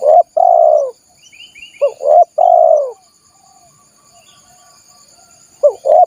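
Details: Spotted dove lure call meant to draw in wild doves: two full phrases, each with short upslurred notes leading into a long hollow coo, and a third phrase beginning. Faint chirping and insect drone run underneath.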